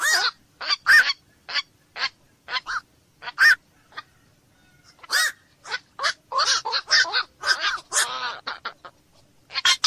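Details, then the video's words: Black-crowned night herons calling in a dense series: harsh, nasal, honking squawks overlap one another and come in irregular bursts. Several birds appear to be calling, with short quiet gaps between clusters. "SUARA BURUNG KOAK MALAM"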